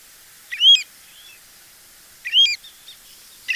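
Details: Pacific Golden Plover, a migratory shorebird of Sri Lanka's beaches and mudflats, giving two clear, rising whistled 'chu-weet' calls about two seconds apart, each trailing off in a softer note.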